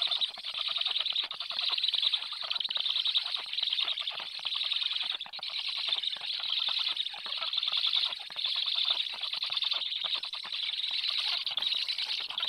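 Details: Black stork chicks fed by a parent on 30 July at 19:54, their eighth feed of the day, keep up a steady, dense, scratchy rasping with fast pulses and brief pauses.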